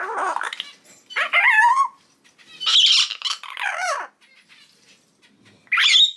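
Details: Three-month-old common hill myna chick, sex not yet known, still unable to talk, crying in four harsh, wavering squawk bursts separated by short silent pauses, some rising and falling in pitch.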